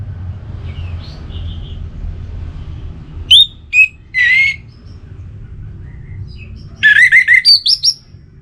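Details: Relaxed song of an orange-headed thrush: faint whistles early, then three loud separate notes, a pause, and a closing burst of quick rising whistles and chirps. Background stays quiet apart from a low hum.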